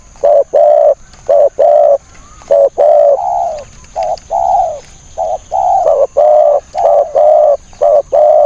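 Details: Decoy spotted dove used in a trap cage to attract wild doves, giving repeated low cooing phrases of short and longer notes at an uneven pace, a faint thin whistle and steady high whine in the background.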